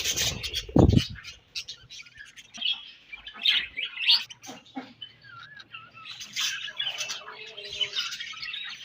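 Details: Morning chirping from a budgerigar colony. A loud low thud opens, then scattered sharp chirps, short warbled trills and a rising-falling whistled note stand out over quieter chatter.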